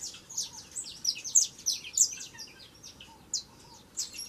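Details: A young saffron finch sings vigorously: a dense opening of high, slurred chirps, then the notes thin out into spaced single sharp chirps over a soft steady hiss.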